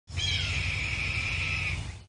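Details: Red-tailed hawk (Buteo jamaicensis) gives one hoarse, drawn-out scream of about two seconds, held steady at a high pitch, over a low rumble of wind.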